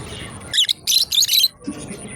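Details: A pair of lovebirds playing together gives three quick bursts of shrill, high, scratchy chirps packed into about one second, each burst dense and rapid. A soft low murmur follows, over faint steady background hiss.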